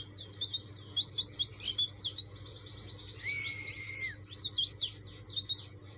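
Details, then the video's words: Insistent rival-challenging song of a dakun white-eye: dense, fast, high-pitched warbling of looping notes, with one sustained lower straight tone about halfway through; constant low hum in background. "PLECI DAKUN NGOTOT CARI LAWAN.!!"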